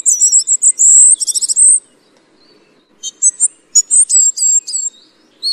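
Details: Tristram's bunting (Emberiza tristrami) call: two bursts of very high, thin, quick notes, first a rapid tinkling run, then broken sharp chips, with a quiet gap between.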